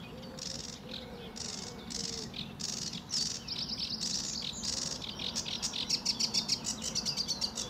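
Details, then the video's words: A lively sedge warbler sings a hurried, scratchy medley of high chattering notes that speeds into rapid trills, over a low rumble, at RSPB Fowlmere on a sunny early morning with blue sky in July 2013. "Sedge Warbler"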